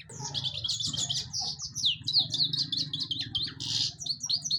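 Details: European goldfinch singing a fast, bright twittering song of high tinkling notes and short buzzy trills that runs continuously, over a faint low hum.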